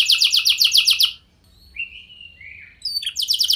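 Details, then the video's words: Canary singing continuously as a lure for other canaries to respond. A fast buzzy repeated note series stops, soft slurred whistles drift down, then the buzzy pulses start again. "Kenari Lain Langsung Respon Dengan Pancingan Kenari Gacor Lagu Istimewa Ini"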